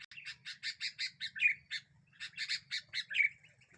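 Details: A sooty-headed bulbul that agitates other birds as a lure, giving two quick runs of bright, scratchy chirps. Each run ends in a brief liquid warble, with a short pause between the runs.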